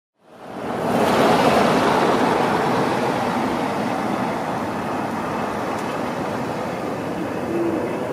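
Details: A steady, loud broadband rush like wind or running water fills the recording from start to end, with no animal calls heard.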